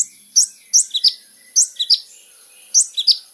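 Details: Olive-backed Sunbird singing vigorously, recorded for use as a lure to draw a response from other birds: sharp, high chipping notes, each followed by a quick pair of descending chips, repeated roughly every second.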